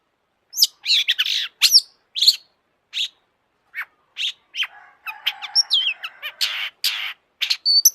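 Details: Long-tailed shrike lure song for other shrikes: spaced sharp, downslurred notes building into a dense, varied burst of harsh chatter and thin whistles.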